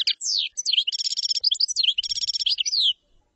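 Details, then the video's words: Common chaffinch singing one bright, high strophe of about three seconds: quick descending sweeps, then repeated rapid trill sections and a falling flourish at the end, followed by silence. "تغريد تبلاط"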